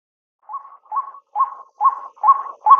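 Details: A White-breasted Waterhen (Amaurornis phoenicurus) gives six hoarse, nasal notes, about one every half second, growing louder, with no other sounds.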